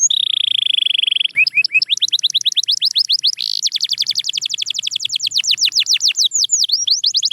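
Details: Canary song, Belgian, Spanish Timbrado or Russian type: a long flat buzzy tone, then a fast stream of rising and falling whistled notes with a brief rough burst midway, ending in looping sweeps.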